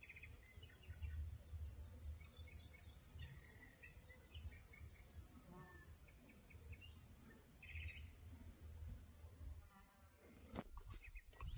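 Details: European bee-eaters (Merops apiaster) at the Soča estuary nature reserve, Slovenia, on 14 June 2024, give short, rolling, burry chirps at irregular intervals, faint against a steady low wind rumble, with a sharp knock near the end.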